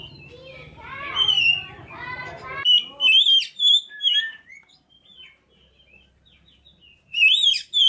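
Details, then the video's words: Oriental magpie-robin song used as a lure to draw other birds into singing: chattering, speech-like sounds with a low hum give way to loud, rich whistled phrases and sharp slurred notes, then a pause and another burst. "pancingan kacer"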